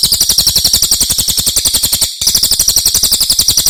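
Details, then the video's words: Continuous shrill rolling trill from a brown cililin, a bird from outside Java used as a tutor for other cage birds: fast, evenly spaced high notes, about four per second, broken only by one very brief gap. "Suara burung cililin buat masteran"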